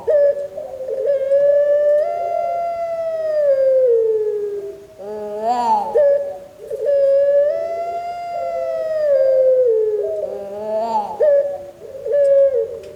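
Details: Breeding Barbary dove of the pelung style, kept as a songbird and said to sing often, gives long sustained clear coos about every five and a half seconds, each ending in a rough, broken flourish.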